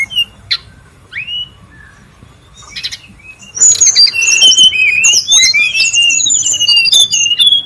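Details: Brown-chested jungle flycatcher in the wild, a lure and tutor recording: a few scattered high whistles and upslurs at first, then from mid-clip a loud, dense run of varied whistled and trilled notes.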